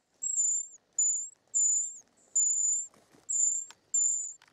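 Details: Short-toed treecreeper nestlings begging while being fed in the nest: thin, very high hissing notes, each about half a second long, repeated roughly every second, with faint rustling between.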